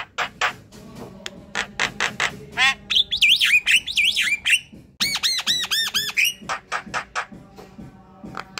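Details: Black-winged myna chatter used as a lure to draw other birds: loud harsh rasping notes repeated about twice a second, then a run of slurred warbling whistles, a burst of ringing arched notes, and more rasps.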